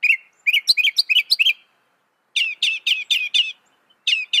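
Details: A Northern mockingbird delivers a burst of rapid chirps, falls silent, then repeats a run of loud slurred notes about every quarter second, with no other sounds.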